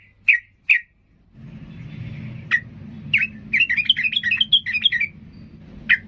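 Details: Agitated sooty-headed bulbul singing to provoke rival birds: a few emphatic single chirps, then a quick jumbled run of bright warbled notes, ending with one more sharp chirp over a low hum.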